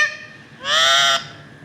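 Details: An Alexandrine (Kashmiri raw) talking parrot gives a single hoarse, nasal, half-second word-like utterance, perhaps "hello", with a slightly rising tone, set against a quiet background.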